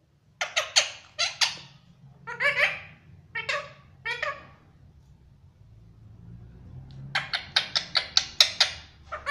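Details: A pet Indian ringneck parrot says "Miyan mithho" and whistles: short, sharp whistled and talking-like notes in quick bursts of two to four, with a pause midway and a faster run at the end.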